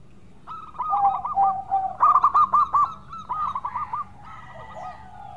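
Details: Zebra dove of the local perkutut type, a lively singer, giving a melodious cooing song: four quick phrases of fluty, slightly rolling notes, each phrase a rapid run of several repeated coos, over a faint low background hum.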